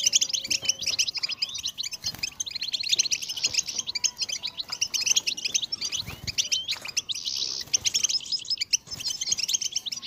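A European goldfinch sings a fast, unbroken stream of high, tinkling twitters and buzzy trills with no pauses.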